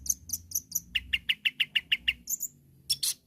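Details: Long-tailed shrike in full voice, calling rivals: a row of high chips, then eight evenly spaced sharp mid-pitched notes, a few high whistled notes and a final scratchy burst.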